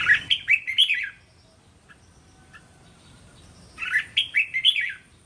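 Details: Red-whiskered bulbul phrases used to train young caged bulbuls to counter-sing. Two lively bursts of five or six liquid, bouncing whistled syllables are separated by several seconds of near quiet with faint background tones.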